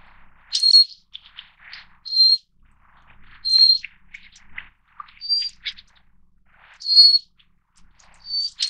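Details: Little Forktail (Enicurus scouleri fortis), endemic subspecies of Taiwan's mountain creeks: high thin whistles with sharp attacks, given about every one and a half seconds, mixed with quieter chirps and rustling chips in between.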